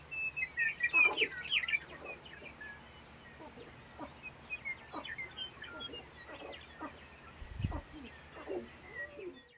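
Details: Sharp-tailed grouse lek with a busy mix of high chattering chirps and clicks, loudest at the start, then many scattered short notes and one deep low thump.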